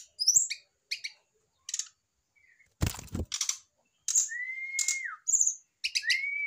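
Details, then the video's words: Male brown-chested jungle flycatcher answering a female placed beside it. Scattered high buzzy notes and trills, plus two long level whistles that bend downward. A sharp clattering knock sounds midway. "REAKSI SRDC JANTAN MAPAN DI TEMPEL SRDC BETINA , PANCINGAN SRDC AGAR CEPAT BUNYI"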